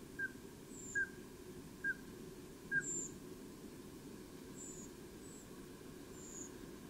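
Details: Migrating Common Scoter at night (03:25) in early spring at Sidestrand, four short, soft piping whistles about a second apart over a steady wash of surf or wind, with thin high tseeps, likely migrating Redwing.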